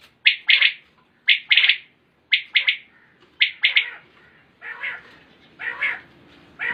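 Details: Common quail, a 2020 recording, giving its crisp triple-note call over and over, roughly one phrase per second. The last few phrases turn broader and rougher in tone.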